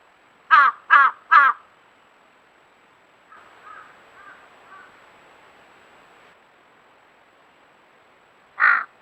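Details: Crow in winter, January 16 at 9:26 am, perched on and pecking the back of a resting wild boar at its leaf bed: several kinds of harsh calls, three quick caws then one more, answered faintly by another distant crow.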